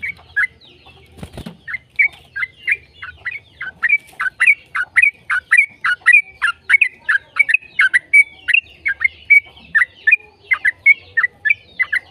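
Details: Long rapid song of a yellow-vented bulbul, meant as a lure to set other bulbuls singing. A brief thump opens, then a tight, unbroken series of sharp, slurred chirps, around three each second.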